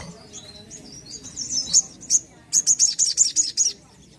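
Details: Crimson sunbird (sogon) singing: thin warbled high notes that build to sharp accents, then a quick series of about eight loud, very high chips delivered at a steady rapid rhythm.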